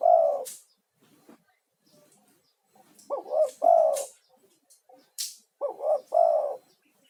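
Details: Male spotted dove lure call, used to call other spotted doves and to calm stressed ones: low, hollow coos in groups of two or three, with scattered clicks and rustles between the phrases.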